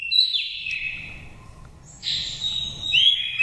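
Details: Oriental magpie-robin from wild Dak Lak stock, five seasons, singing lure song: two drawn-out whistled phrases separated by a quiet gap, the second ending in a bright upslurred note.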